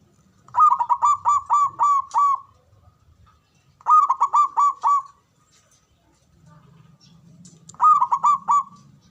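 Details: Male zebra dove calling: three phrases of about six quick, ringing cooing notes in a rapid stutter, each phrase about two seconds apart, over a faint low rumble.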